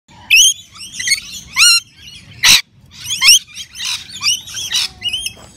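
A lorikeet gives harsh, screechy chatter in quick bursts, with shrill rising squeaks and buzzy notes, a couple of loud screeches, over faint background.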